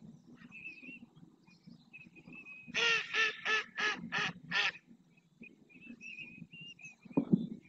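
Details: Several greater flamingos performing a group display dance in the Doñana marshes at El Rocío, Almonte, Huelva, Spain, stretching necks, turning heads and flapping wings; six loud harsh honks in a quick run over a steady low gabble, with thin whistles from other birds.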